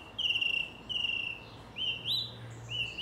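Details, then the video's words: Song thrush in South England giving clear, rising whistled notes in short repeated bursts, each phrase sounded twice before changing. "Song Thrush singing - Grive musicienne"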